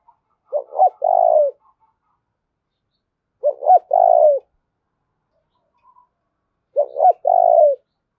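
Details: Decoy spotted dove urging a rival to fight, three cooing phrases about three seconds apart, each a clipped double note leading into a longer vibrating coo, with a few faint soft notes between.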